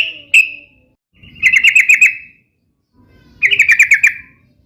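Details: A singing trucuk (sooty-headed bulbul) meant to coax kept bulbuls into answering: one sharp chirp, then two rapid trilled phrases of six or seven quick notes each, about two seconds apart.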